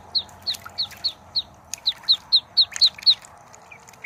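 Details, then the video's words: High, clear peeps from a duckling, a dozen short notes spaced about a quarter second apart, slightly uneven, over a low background hum with scattered faint clicks. "duckling sound | duckling noise | duckling voice"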